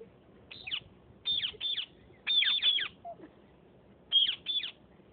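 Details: Parrots from Sindh fighting, giving short harsh squawks in bursts of two or three, each sharp and downward-slurred, with pauses between bursts and low background noise.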